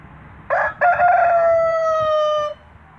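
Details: Huge light Brahma rooster on a farm in Greece, 2019 season, giving a single loud crow lasting about two seconds, with a harsh broken opening followed by a long steady, slightly falling tone.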